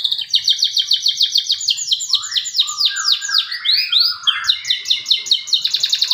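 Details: A male canary sings without pause, used to prompt silent canaries: bright, high rolling trills, quick chattering runs and a burst of swooping, falling notes in the middle, with nothing else heard.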